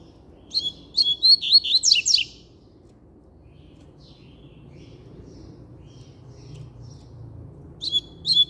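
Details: Strong song of a double-collared seedeater: a quick series of high, warbled, sweeping notes lasting under two seconds, then near silence, then another phrase starting at the end.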